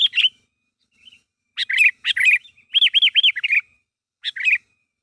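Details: Sooty-headed bulbul calling to its companions to get a reply: scattered short bubbly phrases with a quick trio of arched, rising-falling whistled notes in the middle and quiet gaps between.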